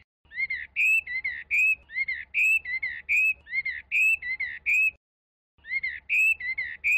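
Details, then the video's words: Chinese hwamei repeating rich warbled whistle phrases in groups, each short burst rising and slightly buzzy, with a brief silence near the end before the song resumes; faint low hum beneath. "ساعه من تغريد طائر الخوامي Chinese Hwamei"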